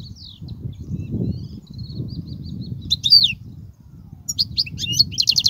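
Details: European goldfinch singing, used to teach young birds: soft thin chips at first, then louder bursts of quick twittering and buzzy repeated notes, against a constant low rumbling background.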